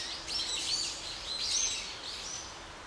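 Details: Gray starling at Ginga no Mori, Sagamihara, Japan, beating a small lizard on the ground; a few thin, squeaky high chirps in two short bursts, with faint rustling outdoor background.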